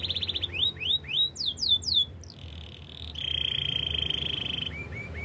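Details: Canary singing a training song: a series of sweeping rising whistled notes, then a long steady buzzy trill and a few short clipped notes, with faint low background hum.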